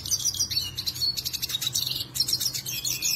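A Black-headed siskin sings a fast, continuous high twittering of chirps and buzzy trills without pause, over a faint low hum.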